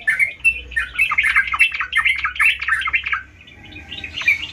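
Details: Sooty-headed bulbul in gacor song, a dense bubbling chatter of quick downslurred notes for three seconds, then a quieter pause before a few sharp notes return; low hum throughout.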